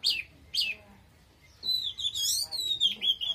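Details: Oriental magpie-robin in forceful song. Two sharp chirps come first, then a long, high, wavering whistled phrase.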